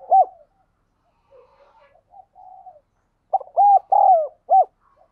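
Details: Decoy spotted dove luring wild doves: a single short coo, a stretch of faint low murmuring, then a full phrase of quick pip, two long rolling coos and a rounded closing note.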